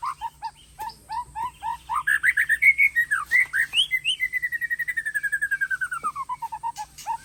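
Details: White-rumped shama of the Aceh Tangse type delivering a varied whistled song: short rising notes, then a quick run of slurred phrases, settling into a long rapid trill of repeated notes that slowly falls in pitch.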